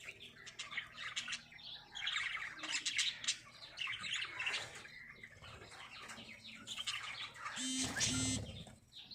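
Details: Breeding lovebirds singing: a dense, overlapping stream of high, scratchy chirps and twitters, with a loud burst of squawking and wing noise near the end.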